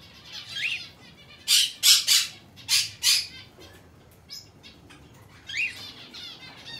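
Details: Monk Parakeet chick, aqua pallid colour, hand-tame, 22 May 2022: a run of four loud grating squawks in quick pairs, framed by softer, rising chattering notes.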